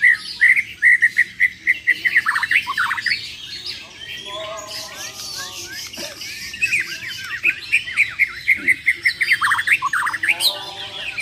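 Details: Bornean White-rumped shamas, champion birds battling rivals, sing with repeated sharp clipped notes in fast series, sweeping whistles and harsh buzzy rattles, with short pauses and some background chatter.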